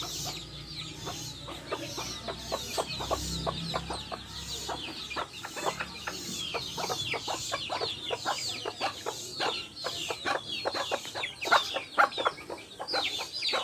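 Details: Hens and chicks kept in a backyard, clucking loudly: quick, dense series of short clucks from several birds over constant thin chick cheeping, with a faint low hum early on.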